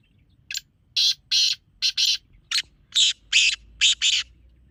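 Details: Black francolin call, a recording meant for calling in francolins: a series of harsh, grating broadband bursts, about nine clipped notes in quick uneven rhythm, the later ones longer and paired.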